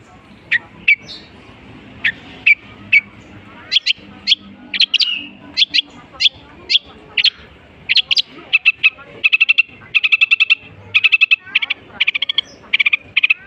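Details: Long-tailed shrike imitating various bird species in a rich, lively song: spaced sharp chips at first, then quickening into repeated trilled phrases and rapid chatter.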